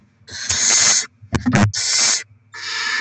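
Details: Barn owls feeding their young with rodent deliveries, 7 February 2024; loud, rough hissing screeches run almost together, broken by a burst of clicks and scuffling in the middle.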